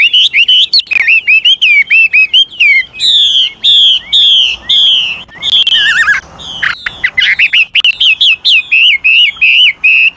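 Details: Old wild Chinese hwamei singing long, varied phrases that stimulate young birds to sing; a steady flow of loud whistled notes, some repeated in series and others slurred up and down, with barely a break.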